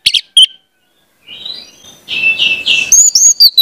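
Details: Orange-headed thrush lure song for young birds. Two sharp notes, then a quiet stretch, a rising thin whistle and a burst of harsh buzzy notes, ending in high slurred whistles.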